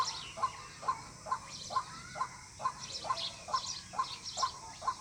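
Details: White-breasted waterhen call used as a lure for bird hunting and trapping, Narowal area: short hoarse notes near one pitch repeated about twice per second in a steady rhythm, with higher scratchy overtones and faint background hiss.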